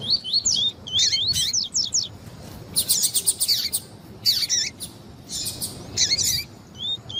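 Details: Double-collared seedeater singing, mixed with a female's calls, meant to warm up other seedeaters: quick high twittering phrases alternating with harsh, broadband buzzy bursts in an irregular rhythm.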